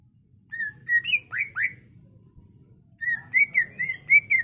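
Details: Greater green leafbird, a captive songbird used as a training master, sings clear level and rising whistles in two bursts separated by a one-second pause.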